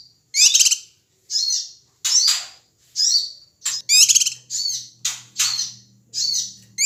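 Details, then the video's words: Ashy tailorbird, a male from Sumatra, calling excitedly to provoke other birds: harsh, rattling chirp bursts about once a second, uneven in spacing, with a faint low hum in the background toward the end. "suara cucak kinoi ribut AMPUH memancing emosi semua burung"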